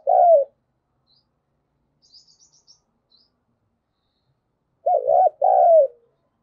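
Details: Decoy spotted dove calling to provoke other doves to answer: a short low coo opens, then after a pause a two-part phrase of a wavering hooting note and a longer falling coo, with faint high chirps in the quiet gap.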